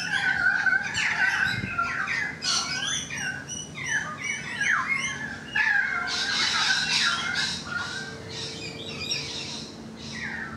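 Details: Balcony recording of currawong song: a long flowing sequence of fluty downslurred whistles and scratchy squawks, dense and fast, with a faint steady hum underneath.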